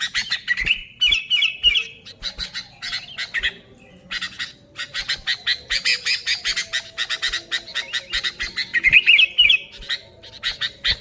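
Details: Lure recording of energetic sooty-headed bulbuls: rapid scratchy chatter in clustered bursts, broken by brief ringing whistled trills near the start and end.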